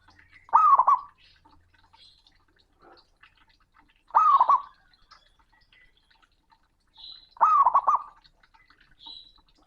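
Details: Male perkutut, the zebra dove, calling a rival in a loud, booming voice: three identical phrases of rapid, rolling coo notes, repeated about every three and a half seconds, with faint higher chirps between them.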